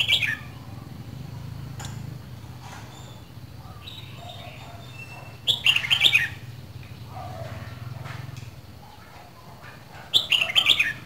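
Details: A Red-whiskered bulbul from Dak Lak, Vietnam, two seasons old and kept as a cage bird, delivers two bursts of rapid warbled whistles about five seconds apart. Fainter chirps and a low hum fill the gaps.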